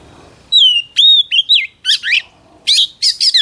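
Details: Female Oriental magpie-robin whistling to provoke males: sweet held whistles that drop in pitch, then rough, fluttering chirped phrases repeated in quick pairs.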